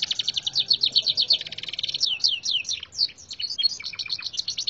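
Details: Contest Gloster canary with red siskin-tutored song. A steady, dense trill of high chirps runs into a run of downward-slurred notes, then clipped chips and short buzzy phrases, all delivered loud and without a break.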